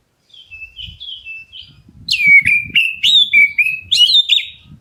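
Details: Black-breasted Oriental magpie-robin calling so other birds answer: soft warbled whistles at first, then a loud run of slurred whistles and scratchy notes, with low rumbling and knocking noise underneath.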